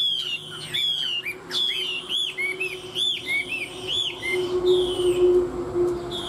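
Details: Chinese hwamei, one of two caged birds tamed for three years, in competitive song: bright arched whistles and ringing slurred notes repeat about twice a second, with a steady low tone running beneath.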